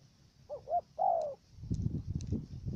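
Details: Trained decoy dove used for bird trapping in Cà Mau, Vietnam, cooing with a stuttered first note: two short hooting notes followed by one long falling coo, then rustling and low background noise.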